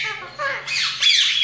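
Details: Pet Indian ringneck parakeet learning to speak, producing a short, speech-like string of raspy syllables that shift in pitch and end in a higher, strained squawk, recorded indoors with a low background hum.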